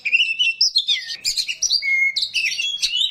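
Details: Oriental magpie-robin (kacer rawit) delivering a short burst of coarse song: bright slurred whistles, a clear level whistled note midway, and fast chattering fragments.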